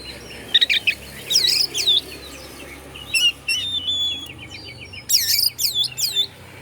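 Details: Shama song meant to provoke rival shamas, delivered as rapid chattering phrases, repeated swooping whistles and a long steady whistled note, loud and clear over a quiet background.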